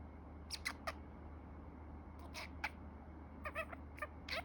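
A budgerigar chatters in quick, scratchy bursts, trying to imitate human words.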